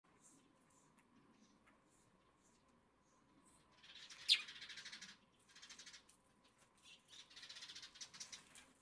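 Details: Eurasian tree sparrows living in a garden in July 2022 give bursts of harsh, scratchy chirping after a quiet start, with a sharp click partway through over a low steady hum; finding: Eurasian tree sparrow.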